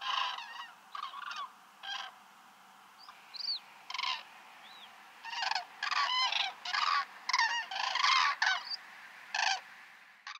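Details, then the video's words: Common cranes (Grus grus, Eurasian crane) giving loud, rolling, trumpeting calls in irregular bursts of one to two seconds, several birds overlapping, with quieter honks between. "Common crane, Grus grus, Eurasian crane, Kranich"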